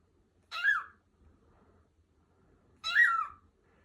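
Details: Lutino cockatiel, a pet bird indoors, playing freely on an upstairs bed while vocalising: two short, harsh, rising-then-falling squawks about two and a half seconds apart, with quiet room tone between.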